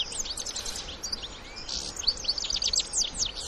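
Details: Wild European goldfinches, adults with their young, give quick high twittering notes in clustered bursts, partly masked by steady hissing background noise.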